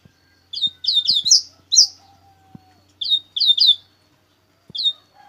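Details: Double-collared seedeater in coleiro bruto song: quick runs of sharp, downward-slurring high chirps delivered in clusters of three to five, separated by brief gaps, with scattered soft clicks and a faint low hum in the background.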